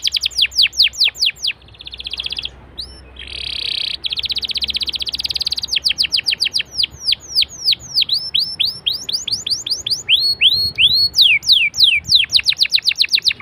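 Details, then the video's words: Canary singing used to prompt other canaries to join in: varied phrases of rapid falling whistles, a dense buzzy trill, then long series of sharp downslurred notes repeated several times a second. "BURUNG KENARI LANGSUNG RESPON GACOR DENGAN PANCINGAN KENARI INI!!"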